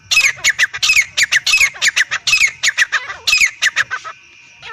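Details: Rapid, rasping calls from a male and female Black francolin, close to three notes a second, loud and strident, fading out near the end.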